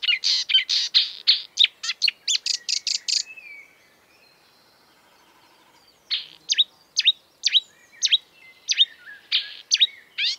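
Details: Marsh warbler (Acrocephalus palustris), a mimic of European and African birds, sings a dense run of sharp high chirps and buzzes, pauses about two seconds, then resumes with spaced clear descending whistles and scratchy notes.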